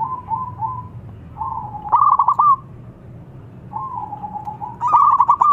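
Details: Local zebra dove (perkutut lokal) calling eagerly and answered at once by a rival; soft cooing phrases near one pitch, some with quick stuttering trills, two birds trading calls with faint background hum.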